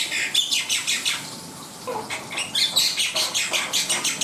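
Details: Black-winged myna singing energetically with strongly rhythmic harsh, buzzy notes, about three each second, broken by a brief low whistle and a few thin high squeaks.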